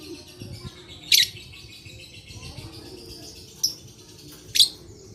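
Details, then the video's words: Lovebird recording dated 11/4/21, played to stimulate lazy lovebirds to sing and known to keepers for long ngekek chattering: three sharp, shrill shrieks at irregular intervals over faint high twittering and low background rumble. "Terapi Lovebird Malas Bunyi Cocok Untuk Memancing Bunyi Semua Love Bird"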